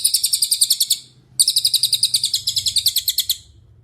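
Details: Cililin song used as a master recording to train songbirds such as Murai Batu, Cucak Ijo and Kacer: two bursts of rapid, high, evenly pulsed chirps about ten per second, with a short pause between them.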